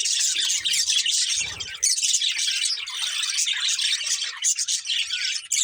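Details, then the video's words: Two budgerigars of a breeding pair pour out a continuous stream of rapid, squeaky twitters and buzzy trills, joined by a short low knock at about one and a half seconds. "Cute Budgies Chirping Sounds"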